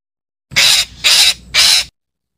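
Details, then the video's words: Three loud, grating squawks from a calling parakeet, evenly spaced about half a second apart. "KICAU BETET MEMANGGIL"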